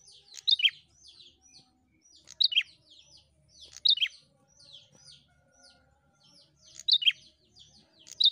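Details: Prinia song used to stimulate other prinias to sing: high, sharp chirps and short down-slurred notes in clusters, with louder bursts of twittering roughly every one and a half to three seconds; quiet background.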